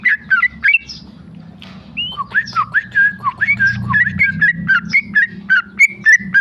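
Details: A few quick whistles from a tame male sooty-headed bulbul, a short gap, then a rapid 'ropel' run of slurred, liquid whistled notes, several per second, with a faint low hum beneath.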